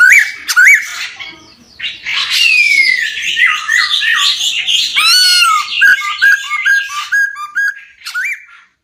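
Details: Male laughingthrush pouring out a rich, dense song of slurred whistles, harsh buzzes and rapid repeated short notes, loud and near.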